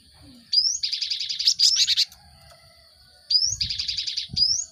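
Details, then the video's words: Cinereous tit lure song meant to get caged birds singing fast: a rising whistle opens each burst, followed by a fast, buzzy chattering trill about one and a half seconds long, repeated after a pause. "Pancingan gelatik batu untuk merangsang burung ombyokan cepat bunyi"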